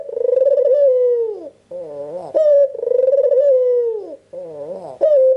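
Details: Albino Barbary dove, red-eyed, calling repeatedly as a lure for other doves: two full phrases, each a long pulsed coo sliding down, followed by a wavering note and a sharp upward note.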